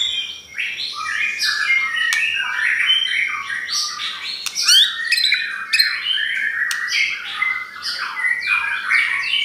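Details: White-rumped shama song meant to lure and provoke other shamas: a continuous stream of varied whistles, chatters and harsh notes with sharp clicks scattered through.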